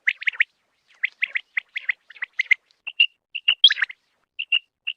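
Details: Quick clipped chattering notes open the recording, then a common quail's clear whistled notes follow in spaced pairs and threes near one steady pitch.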